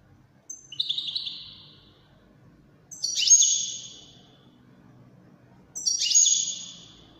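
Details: Three separate short, high, buzzy twittering notes from a European goldfinch of the 'widani' type, spaced a couple of seconds apart, with faint low background rumble.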